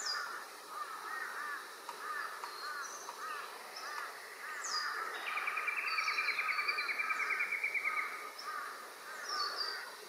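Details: Rainbow lorikeets inspecting a possible nesting site at Doonan, Noosa Biosphere Reserve: rapid, harsh chattering screeches overlapping, with one long buzzy rattling trill in the middle and sharp higher squeaks throughout.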